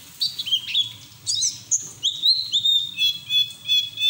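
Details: White-eye song used as training audio to get other white-eyes singing; high thin warbled phrases with slurred notes and a sustained level whistle toward the end, delivered in short uneven bursts.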